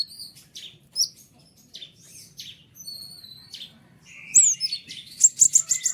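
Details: White-winged triller used to teach other caged songbirds: soft scattered high notes give way to a loud flurry of sharp, rapid chirps near the end.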